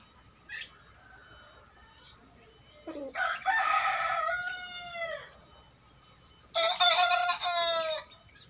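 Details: Young native village rooster, one of three 60-day-old males on a small home farm, crowing for the first time: two rough, hoarse crows, each about two seconds of strained, harmonic-rich sound that breaks and falls at the end, with quiet gaps between.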